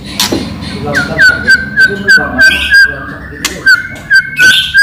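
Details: Energetic white-rumped shama song of the kind used to make other shamas reply: steady repeated whistled notes, around three per second, at a fairly even pitch, with brief chattering and a low hum behind.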